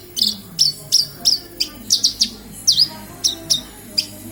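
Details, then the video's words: Javan bush lark from Kediri in full, lively song: crisp high chirps repeated roughly three times a second, a few in quick pairs, one swooping V-shaped note near the middle, faint low background hum. "Branjagan gacor"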